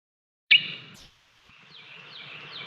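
A Carolina wren gives one harsh, rasping burst, then fainter short down-slurred notes over a quiet background.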